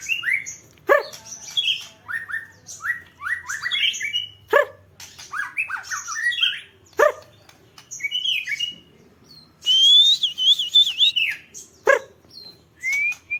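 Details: Songbird sunbathing, singing lively bursts of falling chirps and twitters broken by sharp clicks, with a loud bright trilled whistle around the middle and a short rising whistle near the end.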